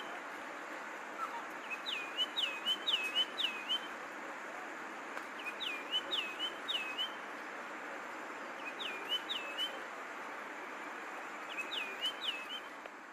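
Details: Yellow-throated longclaw (Macronyx croceus) call: loud whistled phrases of four or five quick notes, repeated every three to four seconds over a steady background hiss.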